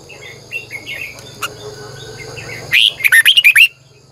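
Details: Red-whiskered bulbul singing at dawn to lure wild birds. Faint twittering and a low hum come before a burst of seven quick, bright, warbled whistles.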